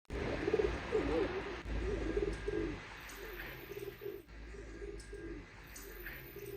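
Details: Rock doves eating grain in Rome, Italy: low, soft rolling coos repeat through the recording over a steady background of city hum and light scattered clicks.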